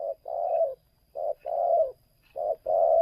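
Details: Spotted dove used as a lure for wild doves: three low mellow two-part coos, short then long, over faint background hum.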